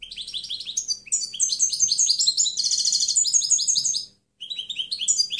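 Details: Clean European goldfinch song for training other birds: an unbroken, fast twittering flow of bright chirps with a dense buzzy trill in the middle, a brief pause, then more rapid twitters.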